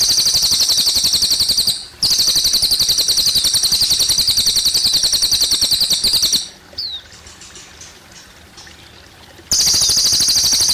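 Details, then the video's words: Cililin and running water: long bouts of a shrill, fast trill of repeated high notes, with a short gap, one falling whistle in a quieter middle section, then the trill again. "suara burung cililin + gemericik air"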